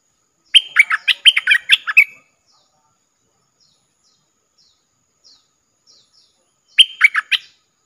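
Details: Caged decoy Streak-eared bulbul used to lure wild birds, recorded 3 June 2021: a burst of about ten quick, bubbling chattery notes lasting over a second, a long pause with faint distant chirps, then a second shorter bubbling burst.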